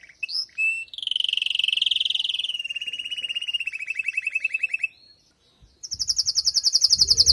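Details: Female canary giving calls to ready the male after moulting: short whistles, a long stepped buzzing roll slowing at its end, a gap with a faint rumble, then a fast high trill.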